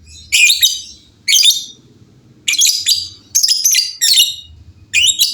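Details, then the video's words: Several lovebirds answering one another in a noisy exchange. Rough, rasping chatter bursts come in irregular clusters, some doubled, separated by brief pauses. "LOVEBIRD GACOR GAYA MEWAH SEMUA LOVEBIRD JADI BUNYI RIBUT BERSAUTAN"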